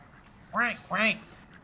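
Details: Ducks on a farm pond: two loud, nasal quacks in quick succession, each with a rising-then-falling harmonic arc, over a quiet background.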